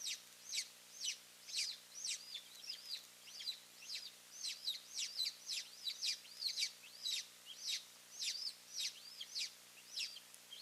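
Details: At a golden eagle nest in Finland holding two eaglets, with both parents arriving, May 3, 2024: a long run of high, thin, piping yelps repeated almost twice a second, fairly faint over a steady hiss.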